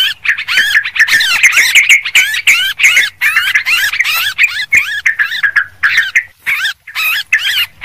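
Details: Sooty-headed bulbul lure recording of noisy, excited birds: a dense run of bubbly, warbling chirps and short rising-falling notes, several voices overlapping with brief gaps, no other clear sounds.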